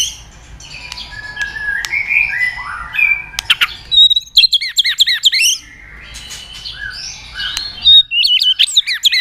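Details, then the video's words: White-rumped shama song used as a lure for silent birds: varied slurred whistles and clicks, then quick series of arched high chirps, a pause, and more rising whistles and twitters. "pancingan murai batu gacor bikin yang lain DOWN!!pancingan burung murai batu nyaut"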